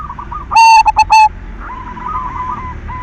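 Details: Silver zebra dove lure song meant to stimulate other doves to sing: one loud burst of three or four rapid, strained cooing notes, followed by fainter repeated coos in the background.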